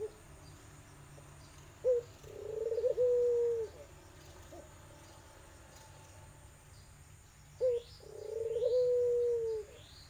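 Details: Irak/tangerine barbary dove cooing to lure a silent dove into calling. Two calls about six seconds apart, each a brief opening note followed by a drawn-out, slightly rolling coo over faint background hiss.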